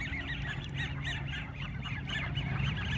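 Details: Squeaky ducks of unstated breed, not mallards, calling like rubber duckies: rapid series of short high arched squeaks, about three or four per second, over constant low rumbling background noise.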